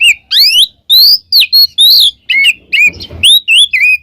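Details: Oriental magpie-robin 'gacor ngeplong' song used to teach pet birds: loud, clean whistled slurs, some rising and some dipping, given about twice per second with brief gaps.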